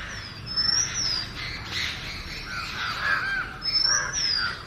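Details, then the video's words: Oriental magpie-robin song: a long, high, down-sliding whistle, a varied middle phrase, then another long whistle, with background bird chatter. "Magpie Robin Singing 🎶 7-Different Sweet Melodies of Magpie Robin 🐦Oriantal Magpie Robin calls"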